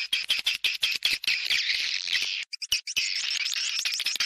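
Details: Swiftlet attraction call played in Gorontalo to lure birds: rapid high chirps and buzzy twittering, first in short pulses several per second, then a continuous trilling stream, broken by brief silent gaps.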